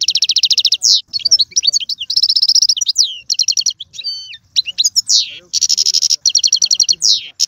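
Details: European goldfinch (mqnin) singing in the tiwawati, galoubi and serfati styles: rapid high buzzy trills and repeated metallic notes in bursts, interspersed with quick sweeping whistles and twittering phrases, continuous throughout with no other sounds.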